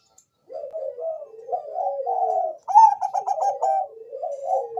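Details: Bangkok-type zebra dove song used as a lure for other doves; a steady flow of warbled coos building into a bright rapid trill, then settling into lower gliding notes.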